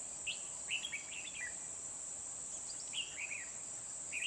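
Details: Red-whiskered bulbul recorded during trapping with a decoy bird at Kim Bôi, Hòa Bình, Vietnam, on 24 December 2020: short bright warbled phrases in quick bursts, each a few rapid slurred notes, over a constant shrill insect drone.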